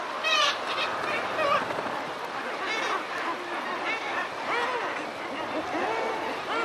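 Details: Razorbill giving mild alarm calls with wingbeats at the start of a close-up recording: dense overlapping harsh, honking and bending calls over a steady hiss of chatter. A few brief rising notes stand out near the beginning.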